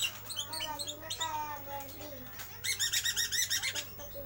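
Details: Lovebird in a bird shop giving ngeriwik song: quick strings of shrill chirps and stacked buzzy notes, ending in a fast, even run of repeated rasping trills. Faint voices and a low mechanical hum run underneath.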